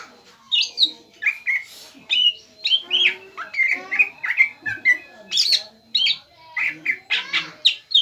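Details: Greater green leafbird, a young 'bahan' bird in active song to goad a rival: evenly paced bursts of sharp chirps and rich whistled phrases, roughly two or three per second.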